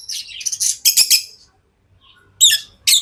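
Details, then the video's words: Tame lovebirds give a rapid cluster of shrill, scratchy high chirps, then a pause and two more harsh squeaks. "Love birds Sounds | lovebirds chirping sounds| parrot beautiful sounds"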